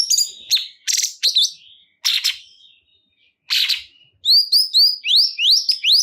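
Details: Cungkok bulbul song to encourage caged birds: scattered harsh chattering bursts and pauses, then a clear series of bright upward-slurred whistled notes repeated in a rapid run.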